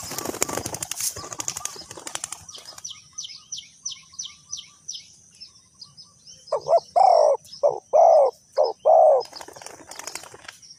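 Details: Spotted dove at a decoy trapping site, Ninh Thuận, Vietnam: rustling noise and a run of high descending bird chirps first, then a short burst of loud hoarse coos in the last four seconds.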